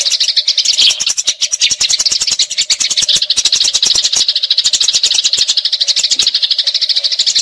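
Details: Eurasian tree sparrow fighting, recorded as training material for magpie-robins, giving a long, nonstop rolling chatter of rapid, harsh chirps, many per second, with sharp clicking ticks throughout.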